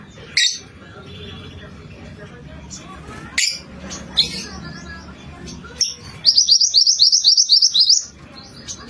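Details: Active mantenan kuning used to lure birds: brief sharp bursts and faint chirps, then a quick high trill of about a dozen rapid notes before a short quiet close.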